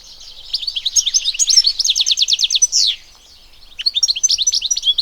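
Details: European goldfinch in the wild: soft twittering swells into a rapid string of sharp, evenly repeated chirps ending in a buzzy slur, a second of near silence, then renewed tinkling phrases.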